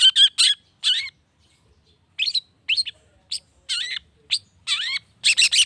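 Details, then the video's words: Long-tailed shrike song for provoking other shrikes to sing: clusters of sharp scratchy notes and looping whistled slurs, broken by a brief silence, then resuming with varied chattering phrases. "PANCINGAN CENDET❗NAIKAN EMOSI CENDET MANAPUN AGAR CEPAT NYAUT LANGSUNG IKUT BUNYI"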